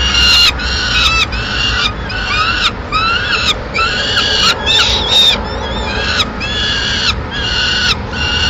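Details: Peregrine falcon in Madrid at mid-morning, the female arriving at the nest with the remains of a pigeon; harsh, nasal, harmonic calls repeated rapidly, about ten short notes in close succession over steady background hum.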